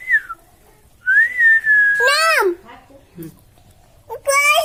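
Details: A talking parrot in a quiet room: a short falling whistle, a long level whistled tone ending in a harsh syllable, a pause, then a buzzy, speech-like burst.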